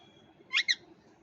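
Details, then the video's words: A parrot from India utters a quick double squawk, two harsh overtone-rich notes a split second apart, with a faint steady whistle-like tone and low hum behind. "parrot 🦜🦜 voice"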